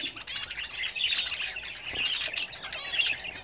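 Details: Home-kept budgerigars at their bath: continuous high warbling and chirping from several birds, fast and scratchy, with a few clear whistled notes.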